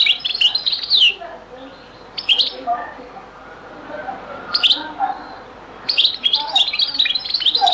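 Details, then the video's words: Very old recording of the Beni Messous 'les avocats' (zaboka) goldfinch song: rapid high twittering runs with descending slurs, broken by softer lower warbled notes, then a long lively tinkling passage to the end. "تغريد - تسجيلة جد قديمة بني مسوس ليزافوكا | chant beni Messous les avocats zaboka"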